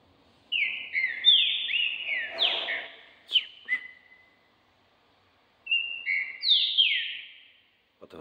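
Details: A caged male Green-winged saltator (trinca-ferro), a champion competition bird being readied for the season, delivers loud, rich whistled phrases of slurred notes, falling and rising, in two bursts separated by a few seconds of quiet.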